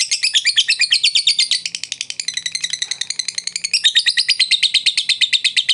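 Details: Lovebird song played to spur a quiet bird into voice: fast, rattling high chatter of repeated scratchy notes, close to three a second, continuing without pause.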